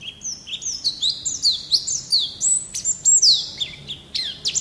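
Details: Japanese white-eye, the pleci, singing lively in a keepers' tutor recording: a stream of high whistled slurs, rising and falling sharply, chirps packed close together and a few buzzy accents.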